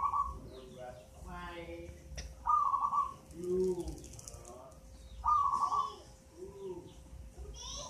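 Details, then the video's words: Local zebra dove, eight months old and taken from a nest in a mango tree, already singing often: short rapid burry trills repeated three times about every two and a half seconds, with a human voice and faint background noise between. "Perkutut lokal umur 8 bulan sudah rajin bunyi"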